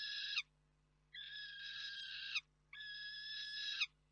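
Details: Young female peregrine falcon, wild, in Poland, arriving at a roost for the night on 3 June 2023 and screaming at an adult; three long harsh screams, each over a second, with a short gap between them, over a steady low hum.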